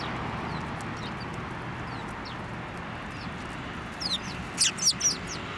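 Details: Sparrows at a Tenmangu shrine flying onto a hand to take food, recorded 9 December 2023. A quiet stretch gives way to a quick cluster of sharp, high chirps near the end.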